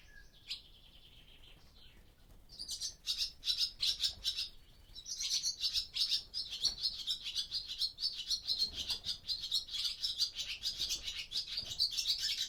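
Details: Daytime in an old barn, barn swallows back for the breeding season give a long run of rapid, scratchy high twittering after a brief whistled note, recorded with a Zoom F6 and Sennheiser MKH microphone.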